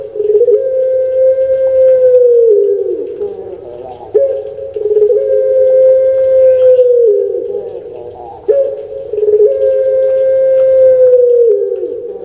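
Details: Repeated long coos from a kept puter pelung dove, about every four seconds, each a deep drawn-out note that falls away at the end before a short break.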